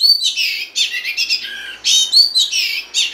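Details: Oriental magpie-robin female singing to stimulate the male: continuous harsh, scratchy chattering and rasping phrases with short bright whistled notes mixed in, dense and busy throughout.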